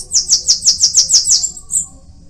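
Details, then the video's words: Single Bananaquit phrase: quick, evenly paced high buzzy notes, about eight, trailing into a faint higher note. "Cambacica| Sibite|tietê|mariquita|chupa-mel|til |sebinho |caga-sebo|chupa-caju| guriatã canto"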